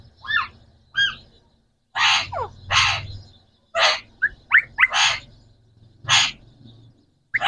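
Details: Three green Pakistani talking parrots: a run of harsh, noisy squawk bursts, some with short sweeping tonal notes between them, spaced about a second apart over a low hum.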